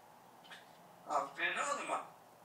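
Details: A talking pet parrot, kept two years and knowing about 80 words, speaks Turkish in a hoarse, human-like voice: a brief quiet syllable, then a louder run of word-like phrases over about a second and a half, in a quiet room.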